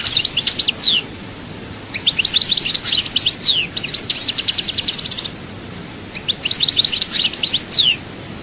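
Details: European goldfinch at Souk Ahras, Algeria, pouring out extended twittering song: tinkling chirps, downslurred whistles and a rapid even trill, with a pause before a final bright phrase.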